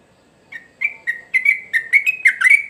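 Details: Sooty-headed bulbul singing actively: after a brief silence, a quickening run of about nine short, clear whistled notes, each with a sharp start, rising and falling slightly around the same pitch, with no other sounds.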